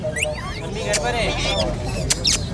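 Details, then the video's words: A talking pet rose-ringed (ringneck) parakeet chatters high, nasal imitations of human words such as "Ammi" in quick squeaky phrases, with a few sharp clicks and faint room noise behind. "AMMI AMMI BOLNE WALA MITHU TOTA | Talking Ringneck parrot"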